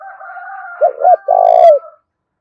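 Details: Spotted dove cooing in the 'thổ đồng' voice style for a calling lure: one phrase of two short notes then a long coo, over a steady faint tonal hum that fades after the phrase.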